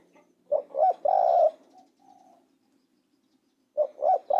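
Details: Spotted dove calling a three-part coo: a quick note, a wavering double coo and a drawn-out final coo. A fainter short coo follows, then the next phrase begins.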